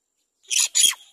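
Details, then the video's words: A hungry great myna chick gives two harsh, raspy, high-pitched begging squawks in quick succession, each about a fifth of a second long. "BABY BIRD GREAT MYNA VERY HUNGRY FOR FOOD"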